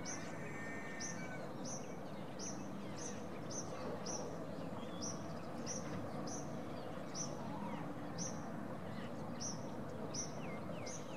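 Common grackles give short, high, sharp chips about twice a second throughout, over a steady low rumble of background noise.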